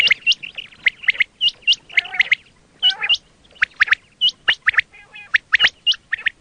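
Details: Quail calls used for hunting (batair): dense stream of sharp, high, upswept whistled notes, mostly paired, with a few rougher grating notes mixed in.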